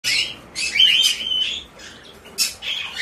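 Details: A hand-tame white-bellied caique (Pionites leucogaster) chick, recorded 20 June 2024, gives harsh, raspy, scratchy high squawks in short bursts, about five in three seconds, with brief pauses between them.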